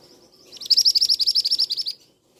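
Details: Male scarlet minivet giving a shrill call: a rapid, even series of about fourteen sharp, high notes over roughly one and a half seconds, after a faint thin lead-in, against a quiet background.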